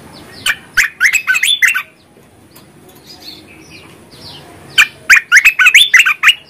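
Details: A bulbul sings two bursts of rich, bubbling, warbled notes, about a second and a half each, separated by a few seconds of quiet, used as a lure for bulbuls reluctant to sing; Bulbul.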